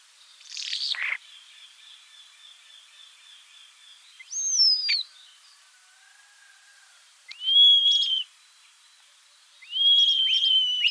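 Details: Sparse common starling whistles: a short harsh burst, then several slurred, sliding whistles, some falling, others wavering, spaced by long silences.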